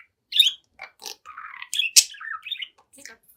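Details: A 7-month-old pet budgerigar sings and talks to its mirror image, giving scattered squeaky chirps, a short buzzy warble, a harsh rasp and bright upslurred notes in an uneven, stop-start flow.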